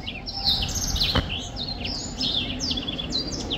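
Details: Short burst of black-throated finch singing: bright high chirps and brief flat whistled notes in quick succession, with one sharp click near the middle.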